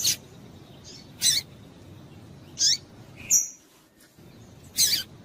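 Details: Double-collared seedeater female calling to get a male singing. Scattered high, sharp chips and one thin, level whistle, a single note every second or so, over a faint steady hiss.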